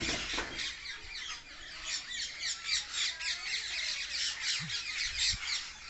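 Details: A flock of parrots gathered in a tree, heard outdoors: dense, overlapping shrill squawks and chirps pour out continuously, rising and falling in loudness, with a few faint low thumps beneath.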